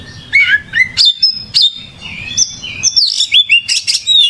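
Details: Oriental magpie-robin (kacer) gacor song: a steady stream of sweet whistled slurs, clear sustained notes and quick high chirps, varied phrase after phrase.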